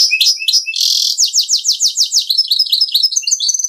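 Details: Goldfinch × canary hybrid (mule) singing in the Servati 'Prince royal' song style: dense high twittering opening into a rapid run of repeated descending notes, then buzzy trilled phrases, continuous throughout.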